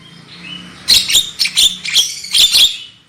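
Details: Brief Javan myna lure song for eliciting loud singing: a soft whistle, then a cluster of loud harsh chattering squawks in quick succession.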